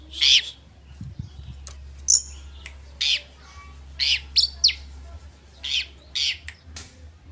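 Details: Oriental magpie-robin as a lure to rouse rival birds: harsh, rasping high notes repeated roughly once a second, some doubled, over a low steady background hum.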